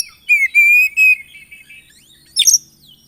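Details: Kacer, or Oriental magpie-robin, in 'gacor isian' song. Three clear, flat harmonic whistles in quick succession are followed by a soft descending warble and a sudden harsh high burst.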